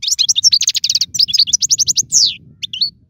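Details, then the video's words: European goldfinch singing, a recording for training young birds: a rapid, continuous string of sharp, tinkling chirps followed by a long descending slurred whistle and a few final twittered notes. "اسمع المقنين واعطي رايك فيه,افضل تغريد لتعليم الفراخ"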